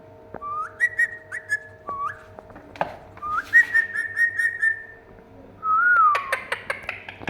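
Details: Pet Indian ringneck parakeet, described as a talking parrot, gives a series of clear whistled phrases, each sliding up then holding a steady wavering tone. A long falling whistle comes near the end, with sharp clicks and taps between phrases indoors.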